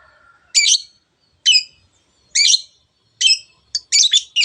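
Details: Spirited 'teot teot' song of a long-tailed shrike, used to provoke birds into song: loud harsh notes spaced about a second apart, then closer together at the end, with silence between.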